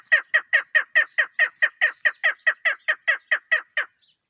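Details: Calling female chukar partridge, recorded for hunting: loud, regular chuck-chuck notes, a little over two per second, stopping abruptly near the end.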